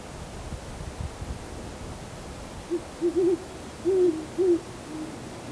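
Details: Owls calling on a cold December night around 7:15 pm, taken handheld with a camcorder and shotgun telemike: a short series of low, soft hoots, some doubled, spaced irregularly over a quiet hiss.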